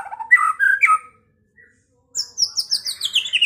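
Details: White-rumped shama (murai batu) owned in Pekalongan, singing to provoke rivals to fight and sing. Low mellow warbled notes, a short pause, then a quick descending run of sharp, high-pitched notes.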